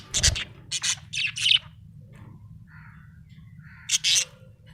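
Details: Happy budgie chirping: a quick series of scratchy, high chirps up front, a soft low warble in the middle, then another short burst of chirps, over faint background hum.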